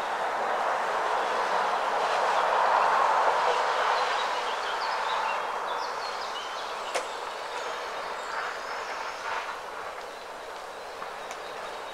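A steady broadband rumble like a passing train or distant traffic, with no clear animal calls.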